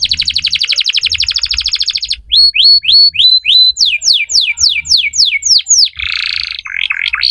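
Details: Belgian canary song: a rapid buzzy trill, then evenly spaced rising whistles, a run of steep descending slurs, and a harsh, noisy burst with wavering tones at the end.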